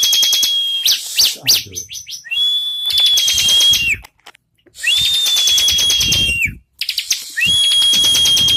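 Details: Bar-winged prinia singing in high, rapid trills of buzzy pulses mixed with long, steady whistled tones, delivered in bursts separated by short silences.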